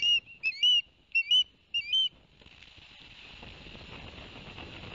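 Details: Osprey calls at a New Jersey nest in Barnegat Light, September 2021, after the male delivered two fish to the young; four loud whistled chirps in the first two seconds, then a steady wash of water or wind noise.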